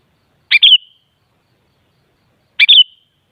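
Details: Two identical brief bulbul phrases about two seconds apart, from a sooty-headed bulbul (kutilang) recording for prompting other birds to reply; each a sharp note, a bubbly warble and a short trailing whistle.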